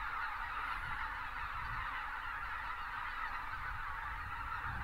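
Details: Huge wintering flock of greater white-fronted geese with pelicans in South Texas near Uvalde, a steady wall of overlapping yelping honks from thousands of birds, low wind-like rumble underneath.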